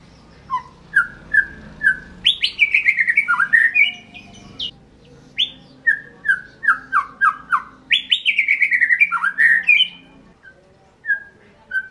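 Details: White-rumped shama delivering evenly spaced whistled notes that build into fast descending flourishes, twice over, against a soft background hiss.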